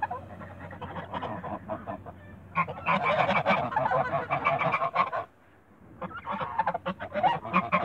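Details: Toulouse geese in a backyard honking loudly and harshly in rapid overlapping bursts, the chorus breaking off briefly in a near-silent pause before resuming with more honks.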